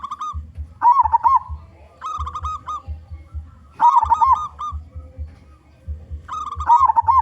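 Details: Local zebra dove, a loud-voiced bird singing as a lure for other zebra doves: mellow, trilled cooing phrases around one pitch, repeated about every two and a half seconds, over a steady low rhythmic thumping in the background.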